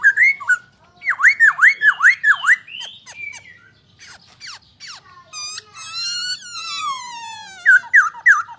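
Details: Masked laughingthrush, Poksay Hongkong, sings a burst of loud V-shaped swooping whistles repeated about twice a second, scattered sharp clicks, a long harmonically rich falling buzz, then more loud slurred notes.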